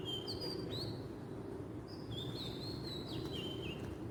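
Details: Wild oriental magpie-robin from Southeast Asia giving two whistled song phrases, the second longer with level, rising and dropping notes, against steady low-pitched ambient noise.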